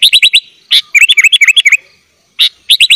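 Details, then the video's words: Gacor sooty-headed bulbul in full isian, a tutor recording for young bulbuls: quick sharp chips in short runs around a string of bouncy downward-curving whistled notes, with a brief silence before more chips. "kutilang gacor full isian"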